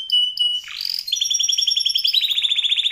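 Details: Canary singing a long, lavish song style: a steady high whistled note, then a rising sweep and a fast run of bright, evenly repeated trilled notes, high-pitched and continuous.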